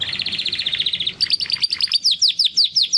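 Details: Two young Timbrado canaries, brothers bred in 2020, practising song after their first molt; a steady rolling trill of repeated notes, then faster descending whistled sweeps repeated about three per second, over faint low hum.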